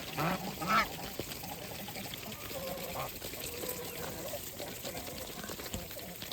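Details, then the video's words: Farm geese at feeding time: one gives two short, harsh, nasal honks in quick succession, then softer low murmuring calls over steady splashing, pouring-water noise. "Geese life with natural sound"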